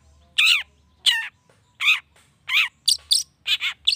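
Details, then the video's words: Cendet, the long-tailed shrike, giving a lure meant to provoke rival shrikes into replying: four evenly spaced grating chattered notes, then a quicker burst of sharper, higher squeaky notes. "PANCINGAN CENDET❗NAIKAN EMOSI CENDET MANAPUN AGAR CEPAT NYAUT LANGSUNG IKUT BUNYI"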